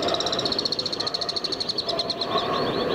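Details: Alpine swifts calling in Hérault, France, during July 2022, a fast shrill trill that loosens and fades toward the end, set against a steady low hum and noise.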